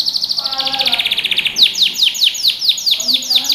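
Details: Canary, yellow, singing as a training song for young birds: a rapid rolling trill near the top of the range, then a run of loud downward-sweeping whistled notes repeated about twice a second.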